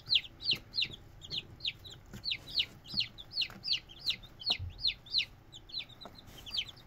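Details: Red junglefowl chicks peeping in a regular series of high, falling notes, roughly three each second, with faint low rustling beneath.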